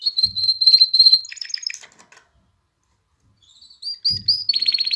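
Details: Canary singing to stir females toward mating and prompt young birds to sing: rapid high steady trills breaking into buzzy lower notes, a long silence, then rising whistled notes and a coarse rattling trill.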